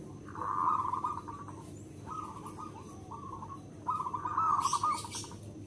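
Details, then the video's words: Local zebra dove with a big voice, its song used as a lure for other zebra doves. Three mid-pitched, rapidly trilled cooing phrases each last about a second, over steady background hum and a brief high rustle. "Perkutut lokal gacor SUARA BESAR, karakter suara nya bagus untuk pemikat semua perkutut."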